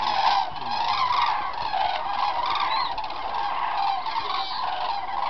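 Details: Large flock of cranes at Halásztó in the Hortobágy puszta, Hungary, on 9 October 2008: a dense, unbroken chorus of loud, rolling, trumpeting bugles that overlap throughout.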